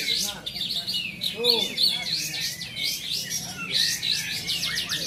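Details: Caged kapas tembak bulbuls competing in Bonjol give fast high chirp series, mixed with a few lower, slurred notes and murmuring voices in the crowd.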